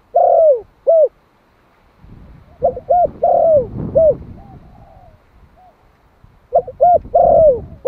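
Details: One-year-old male Malai spotted dove, a decoy bird in Vietnam, calling to lure wild doves. Loud mellow coo phrases open and close the recording, with a softer phrase and faint rustling background between them.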